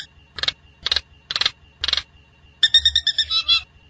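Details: Nias hill myna lure song used to set the bird singing: four harsh rasping notes about half a second apart, then a ringing, warbled cluster of bright whistles over faint low thumping.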